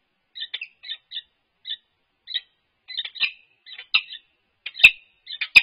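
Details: Peregrine falcons head bowing and working a nest scrape at UC Berkeley, livestream recording from 3-4-22. Sparse, scratchy chup notes build into closer, louder paired calls, with sharp clicks near the end.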